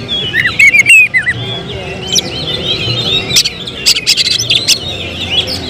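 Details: Oriental magpie-robin, a caged contest-prospect bird, singing whistled, warbling phrases around the upper range, shifting into sharp, loud bursts; faint background noise and other chirps present.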